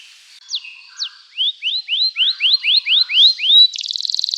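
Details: Canary song used to teach young birds and restart non-singing canaries: two sharp downward notes, then a series of about nine rising slurred whistles at a steady pace, ending in a fast buzzy trill.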